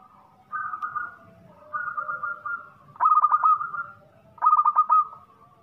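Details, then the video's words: Local zebra dove from Indonesia with a loud, strong voice giving four cooing phrases. Two are smooth, low, mellow coos, and two are louder, rippling coos with quick stuttered notes, each about a second long. A faint low hum runs underneath. "PERKUTUT LOKAL GACOR SUARA BESAR"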